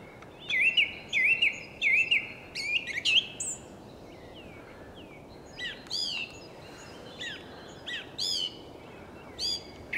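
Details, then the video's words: Eurasian skylark singing in the evening on Ameland: clear whistled upslurred notes repeated in quick runs, then a pause and scattered higher slurred phrases, with a soft steady background of wind and sea. "het avond lied van de leeuwerik"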